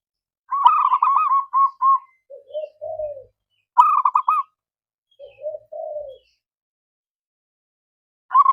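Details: Zebra dove calling a rival: bursts of rapid staccato cooing notes, quick bubbling runs alternating with shorter, lower, softer coos, repeated twice, then another burst begins; no other sounds.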